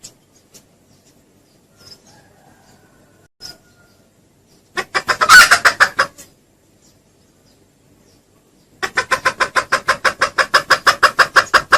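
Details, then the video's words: Indonesian junglefowl lure call: near silence with a few faint ticks, then a loud burst of rapid harsh clucks, a pause, and a long fast series of regular clucks. "SUARA PIKAT AYAM HUTAN JERNIH & KERAS"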